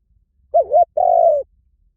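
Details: Single spotted dove phrase: a dipping, wavering coo, a brief break, then a long level coo that fades slightly at the end.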